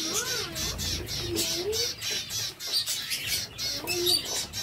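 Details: Captive zebra finches produce a run of quick, nasal, trumpet-like beeps, while lower curved whistles and coos from other birds rise and fall in between.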